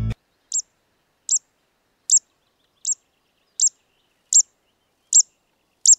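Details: Zitting cisticola beside a large paddy field near Wellawaya, Sri Lanka, giving sharp, high "zit" notes, one roughly every 0.8 seconds, like repeated snips of scissors.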